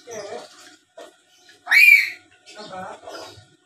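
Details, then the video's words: Chattering black-capped lory used as a lure for rivals: murmured speech-like syllables around one loud, rising, harsh squawk in the middle. "Suara Asli Burung Nuri Paltem Gacor Pintar Ngomong dan Ngoceh² Buat Pancingan"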